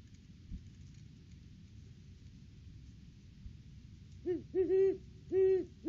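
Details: Off-season Great Horned Owl pair visiting their nest tree on 3 December 2022, recorded by a live cam as the two duet. After several seconds of quiet background hiss, four loud, deep, rounded hoots arrive close together near the end.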